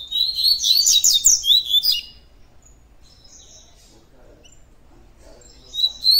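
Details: Tui tui song of a Double-collared Seedeater (coleiro): two seconds of rapid, dense, high-pitched twittering with sharp slurred whistles, a long quiet gap, then the song starting again at the end.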